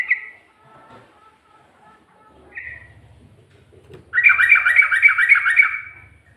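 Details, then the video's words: Sooty-headed bulbul singing ropel style with ngikluk and garuda variants: two isolated short notes, then a loud, rapid, regular burst of about eight looping notes over a low mechanical hum. "Burung Trucuk Ropel,ngikluk...ada ngGARUDAnya juga"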